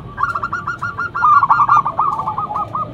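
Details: A local zebra dove with a loud lure song, giving one continuous phrase of fast, evenly spaced clipped coos, loudest in the middle and trailing off.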